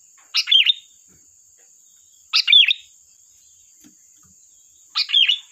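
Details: Sooty-headed bulbul song used to lure wild bulbuls: three quick, chirpy, warbled phrases, each about half a second, repeated every two to three seconds against a steady high-pitched tone.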